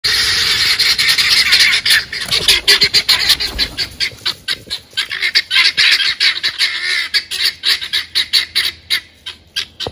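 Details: Helmeted guineafowl in flight give harsh, rapid, repeated squawking calls in a noisy chattering series.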